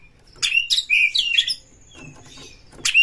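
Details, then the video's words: White-rumped shama stirred to fight a rival, singing a quick mix of harsh chatters and slurred whistles for about a second, then a brief sharp note after a quiet gap. "kacer MENCARI LAWAN TARUNG Pancingan Kacer GACOR"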